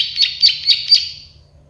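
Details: Plain prinia, the prenjak sawah or klik-klik bird, in a bird-tutoring recording: four loud buzzy clicking notes evenly spaced, fading out at the end.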